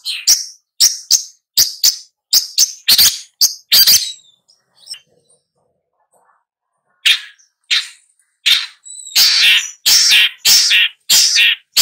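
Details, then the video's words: Long-tailed shrike repeating rapid grating notes in quick bursts, pausing for about three seconds, then resuming with denser, louder rasping notes. "Long-tailed Shrike Bird Song, Sound, Call, Chirp, Melody"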